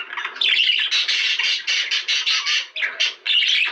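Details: Budgerigars in captivity warbling, used to prompt breeding; loud, rhythmic bursts of gritty chatter roughly every third of a second, mixed with thin whistled notes, recorded indoors.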